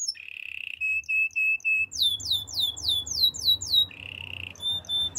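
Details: Canary song with a steady rolling trill broken into short bursts, then a rapid run of rising whistled upsweeps, another rolling trill and a closing high note, with low hum beneath.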